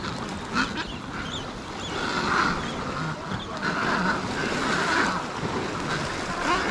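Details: Fledging Adélie penguin chicks chase their parents on Devil's Island in the Weddell Sea, Antarctic Peninsula, giving harsh, grating begging calls for food in overlapping bursts of a second or so over a steady colony din and wind.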